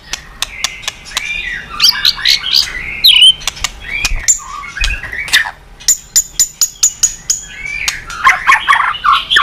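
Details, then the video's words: White-rumped shama (murai batu) singing to provoke other birds into song: varied twittering and slurred whistles mixed with sharp, evenly repeated ticking clicks, a sustained high thin note midway, and a dense chattering burst near the end. "Masteran MURAI BATU super gacor dan istimewa..cocok tuk pancingan burung lain."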